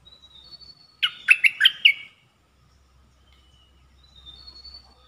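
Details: Caged red-whiskered bulbul used as a decoy for trapping birds, singing in the dok taeng style: one quick phrase of four bright, warbled notes, then quiet with a faint thin whistle at the end.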